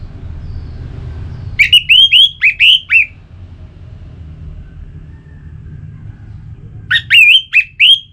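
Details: Orange-headed thrush song used to set caged birds singing: two bursts of loud, rich whistled notes, each burst five or six quick slurred phrases, with a pause of several seconds and faint low noise between.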